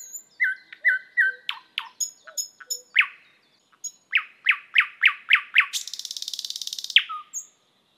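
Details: Thrush nightingale song: repeated down-slurred whistles, then a run of loud, hard, evenly spaced chock notes speeding up into a long buzzy mechanical rattle, ending with a low whistle.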